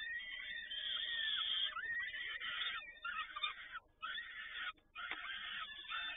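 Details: Peregrine falcon at Toruń, 7 May 2019, late afternoon, during feeding by both parents: harsh, grating wailing calls in continuous overlapping bursts, with a thin whistled tone early on and brief pauses near the end.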